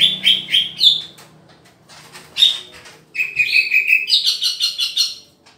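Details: Green leafbird being paired, singing strings of clear high whistled notes repeated quickly, switching between phrases at different pitches, with a brief higher burst in the middle.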